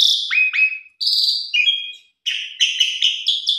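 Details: Asian pied starling singing for a tutor recording: downward-slurred whistles, a steady high whistle, then a quick run of five or six clipped, buzzy notes repeated rapidly.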